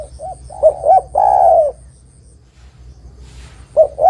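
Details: Spotted dove singing as a lure for trapping other doves: two short hooting notes and a long, falling coo, a pause, then the start of the next phrase, with a thin steady high tone.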